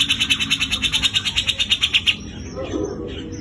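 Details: Grey-cheeked bulbul of Java delivering its coarse besetan kasar rattle. Some twenty rapid, rasping pulses run for two seconds, then give way to soft background noise.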